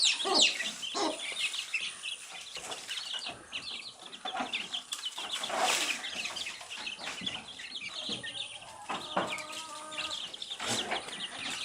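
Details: Baby chicks chirping while eating earthworms: a dense chorus of high, rapid peeping notes from many chicks overlapping continuously, with pecking and rustling noises and a few lower clucking sounds.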